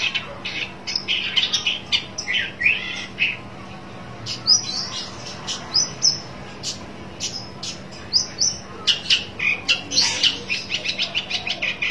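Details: Rival-seeking long-tailed shrike: varied chirps, rising and falling slurred whistles and short high upslurred notes in quick succession, interspersed with harsh clicks, over a faint electrical hum.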